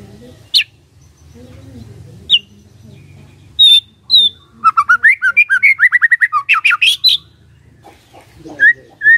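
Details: White-rumped shama song serving as a lure to draw a response: scattered high chips give way to a fast rattling series of slurred whistled notes, ending in a few clear whistles.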